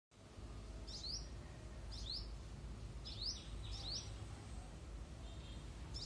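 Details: A singing hummingbird gives short, squeaky, sharply rising high notes in small clusters about once a second, with a faint steady low rumble underneath.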